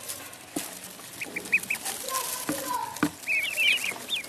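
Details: Pond duckling with short high peeps early on, followed by a tumbling cluster of louder, wavering chirps near the end; knocking and splashing sounds mix in.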